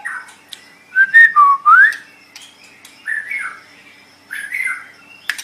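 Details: White-rumped shama song recorded as training material for other songbirds. Loud whistled phrase that dips and then sweeps upward, followed after pauses by softer, fuller warbled phrases.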